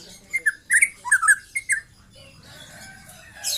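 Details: Young white-rumped shama giving a short trotol phrase: about eight quick whistled chirps in under two seconds, followed by faint rustling noise.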